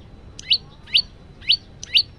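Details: Male yellow-bellied prinia in lively song, phone recording: four sharp rising high chips spaced about half a second apart, low steady background noise.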